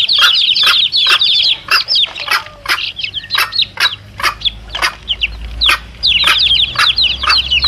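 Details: Chicks with mother hen, sound used to draw in wild junglefowl; bursts of thin, high peeping come and go with short lulls, punctuated by frequent brisk clucks.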